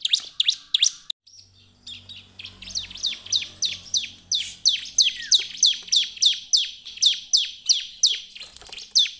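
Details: Bar-winged prinia (ciblek) singing vigorously, used as a lure to set other prinias singing: loud, high, sharply falling chip notes repeated about three times a second in a long steady series, with faint low rumbling early on.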